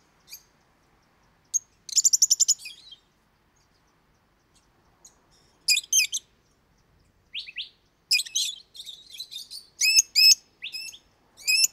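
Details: Lovebird calling loudly and often: bursts of high, shrill chirps and rapid buzzy chatter, some short rising notes, separated by brief silences, with no other sounds.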